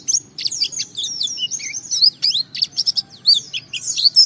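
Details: White-eye, known locally as pleci, singing a gacor ngalas style song meant to provoke other white-eyes into singing: dense, rapid high twittering of sharp up-and-down chirps and short whistles in quick bursts.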